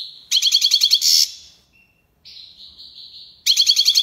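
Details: European goldfinch song with tiwawati and lipassade phrases: an evenly pulsed ringing trill about eight notes long, a rasping buzz, a drawn-out thin whistle, then the pulsed trill starts again.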